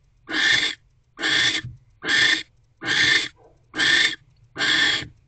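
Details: Barn owl pair in a nest box on 25 December 2023 at 6:52 pm, mating after the male delivers a rodent the female holds in her beak. Six harsh, breathy hissing bursts, evenly spaced, each about half a second long.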